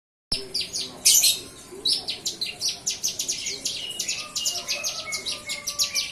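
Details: Young bar-winged prinia, just past hand-feeding, starting to sing: a fast, steady run of sharp, very high chirps and ticking notes repeated several times a second, opening with a brief buzzy burst.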